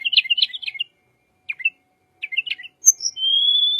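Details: Little pied flycatcher song, used as a lure for white-rumped shama: rapid twittering chirp clusters, a lone chirp, another twittering phrase, then a long, thin, slowly rising whistle.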